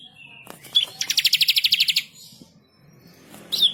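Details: Bar-winged prinia (ciblek kristal) in lively, persistent 'gacor' song, recorded as a masteran tutor track: a few high chirps, then a rapid, even, high-pitched rolling trill of about a dozen notes, and a final bright whistled phrase.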